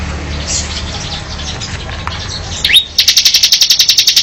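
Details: Mountain cemblek bird chirping: after a stretch of low background hum, a quick rising whistle leads into a rapid, even trill of high, sharp pulses that lasts over a second.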